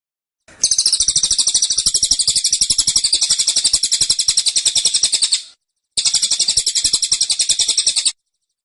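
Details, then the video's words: Dense, insistent tembakan volley from a kept cililin: a long, fast rattle of shrill, high notes for nearly five seconds, a brief pause, then a shorter second burst. "Tembakan Cililin Suara Rapat Dan Ngotot"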